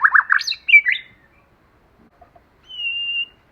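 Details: White-rumped shama, male and female, used as a lure to excite other shamas, forest-style song: a few quick slurred whistles and chirps dropping and rising, a pause, then one long, level, thin whistle.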